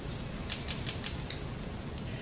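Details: Male Red-capped Manakin's wing claps during his backward moonwalk-like courtship dance to attract a mate: about five sharp, dry snaps spaced a fraction of a second apart, over a steady low hum and hiss.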